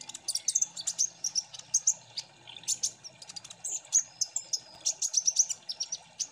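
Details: Kolibri ninja sunbird chorus, ombyokan style, played as lure song to make birds sing eagerly. Dense, very high sharp chips and short whistles tumble over each other in quick irregular bursts throughout.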